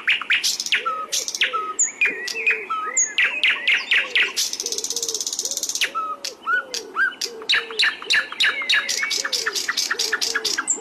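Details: Flycatcher masteran song for training other birds to sing: lively chirps, whistled slurs and a low looping note under sharp clicks, broken by a short dry rattle, then rapid ticking notes.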